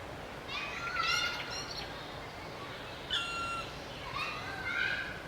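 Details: Black woodpecker chicks begging as an adult feeds them: harsh, buzzy, harmonic-rich calls in two bursts near the start and again after three seconds, with a clear high whistled note from another bird over a faint background hiss.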